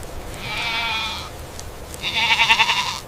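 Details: Indian peafowl (peacock) giving two loud, drawn-out nasal calls with a bright stacked tone, the second more pulsing and wavering, separated by a short quiet gap.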